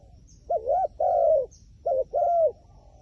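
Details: Wild pigeon, said to be very wary and afraid of the phone camera, gives smooth arched coos in two pairs, a short note followed by a longer drawn-out one, over a quiet, low rumbling background.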